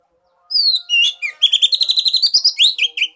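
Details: Energetic Oriental magpie-robin lure song for a silent bird. Sweeping downward whistles open into a rapid, rolling trill of many quick notes that ends in looping, bright phrases.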